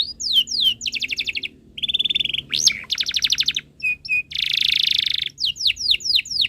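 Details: Canary tutor song for young birds: varied phrases of sharp descending whistles, fast buzzy trills, a steady rattling roll, clipped chips and a dense harsh trill, ending in repeated falling whistles.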